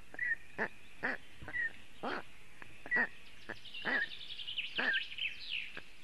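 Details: Young black storks, alone on their Latvian nest on a hot afternoon in early June 2018, calling for cooling: scattered, coarse, arched calls about once a second, then a small bird's twittering.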